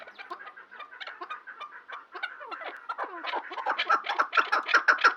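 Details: Chukar partridge with soft, rapid chuckling notes that grow louder and sharper over a few seconds.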